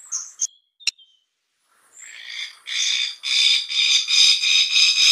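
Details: White-breasted waterhen call: a few sharp high clicks and chirps, then a swelling run of harsh, rhythmic, buzzy pulses repeated about three times a second, growing louder toward the end.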